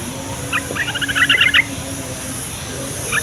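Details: Yellow-vented bulbul (trucukan) song used as a lure to make young and quiet bulbuls answer: a bubbly burst of short chattering notes lasting about a second, over a steady low hum.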